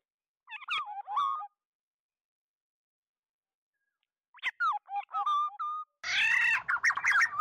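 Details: Oriole calling its flock, a recording used as a lure: two bursts of fluty, liquid whistled phrases with quick rising and falling notes, separated by a silent gap, ending in a loud harsh nasal squawk run into whistles.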